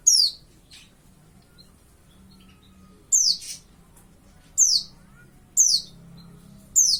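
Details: About five-month-old white-eye (pleci) learning to sing, giving crisp high downslurred chirps at irregular intervals of one to one and a half seconds over a quiet low hum.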